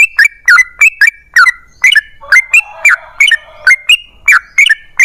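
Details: Yellow-vented bulbul singing actively, a lure to prompt other bulbuls to reply: liquid, gurgling notes in quick pairs and triplets, steady bubbly chatter throughout.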